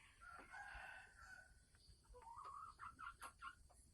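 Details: Captive female red junglefowl from Sumatra giving her pre-laying ngekek call: a sustained nasal note, then a run of short clipped notes about every quarter second, faint against room noise.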